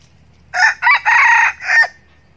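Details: A decoy red junglefowl rooster gives one crow to attract wild cocks. Four clear syllables, short, short, long and short, are separated by tiny gaps, with a faint low rumble beneath.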